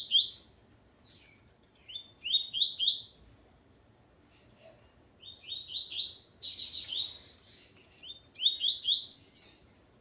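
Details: Male Coleiro, with his female, opens with a repeated pattern of short upswept chirps, pauses, then delivers a fuller rising warble and a final run of chirps; quiet background.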